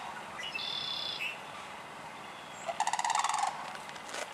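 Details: Sandhill crane in Michigan, spring (March–June), gives a brief, rolling, rattled bugle of rapid pulses, preceded by a thin, high whistled note from another bird.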